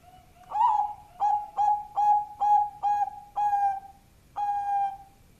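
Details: Zebra dove, Bangkok type, singing powerfully as a lure: a brief low lead-in, a rising opening coo, then six evenly spaced rolled notes, a short pause, and one last longer note.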